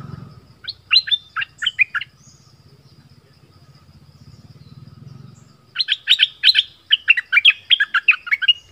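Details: Southern-style decoy bulbul sings a short phrase of bright, jerky chirps, falls silent over a low rumble, then returns with a longer, faster run of bubbling notes.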